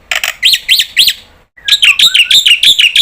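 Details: Black-winged starling used as a calling lure for other starlings. Three harsh, arched screeches are followed by a short pause and then a quick series of grating, buzzy notes, several per second.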